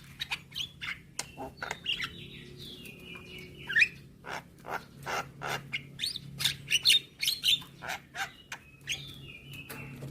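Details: Training song of Javan myna, replayed each morning to teach young birds to sing fully while bobbing their heads: dry rhythmic clicks and chatter repeated about twice a second, broken by gliding, descending whistled notes, over a low background hum.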